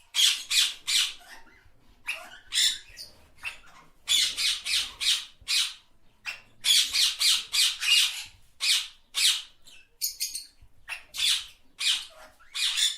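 A parrot gives harsh, raspy squawks in rapid bursts, several per second, with short pauses between runs; no other sounds stand out.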